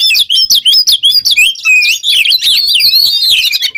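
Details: Kacer, or Oriental magpie-robin, singing vigorously in 'ngobra teler' style as a training lure: rapid, tumbling phrases of bright whistled and chattering notes, about three per second, with wandering pitch.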